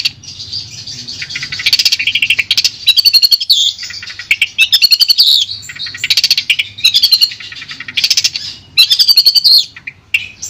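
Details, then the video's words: Long-tailed shrike of the Madura type, recorded for tutoring: a varied medley of warbled phrases, each broken by bursts of rapid, buzzy ticking, with short gaps between phrases. "Suara Jernih Masteran Burung Cendet Madura"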